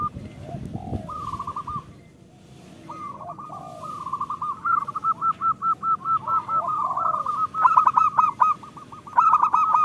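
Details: Zebra doves singing, local birds, in overlapping phrases: a quiet start with low swooping calls, then a long run of quick, rhythmic cooing notes that grows louder toward the end.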